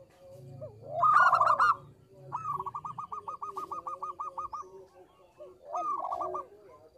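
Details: Local zebra dove with a small voice: a loud opening flourish, then a long steady train of about fifteen evenly spaced clipped coos, followed by another short burst with lower swooping notes.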